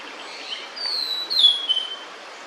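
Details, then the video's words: Female blue-and-white flycatcher, food held in its bill, singing near its nest with chicks: a short phrase of two clear high whistles, each sliding downward, over a faint steady background hiss. "餌を咥えたまま鳴くオオルリ (雌) / Blue-and-White Flycatcher(female) singing while holding food"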